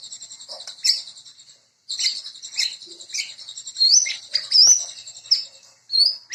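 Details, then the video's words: White-rumped shama (murai): a high buzzy trill broken by sharp chips and short whistled flicks, pausing twice, with occasional brighter rising notes. "Sound Of Murai Bird"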